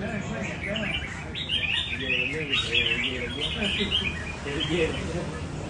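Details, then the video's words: A tamed Red-whiskered bulbul sings steady, rhythmic song at a bird café: bright, bubbling whistled phrases repeated throughout, over a murmur of people talking and possibly other birds. "chào mào chạy cầu thuần hoá nhịp nhàn"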